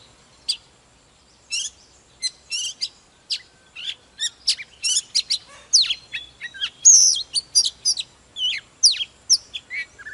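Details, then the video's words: Oriental magpie-robin, a mature wild-caught bird, in energetic morning song: it begins with scattered sharp chips, then builds into a dense, varied stream of whistles, trills and slurred notes that grows louder and more continuous toward the end. "Chòe than Già rừng hót múa CỰC ĐỈNH"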